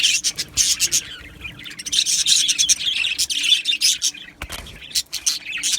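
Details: Australian budgies in an aviary colony, singing and chirping: a busy stream of fast, rough, high chirps, roughly three per second, swelling into a thick warbling chatter midway and then thinning out.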